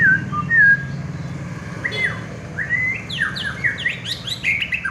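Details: Prize-winning contest white-rumped shama giving clear, sweet whistles that slide up and down, then a rapid cascade of rising and falling notes with high bright flourishes over faint low hum.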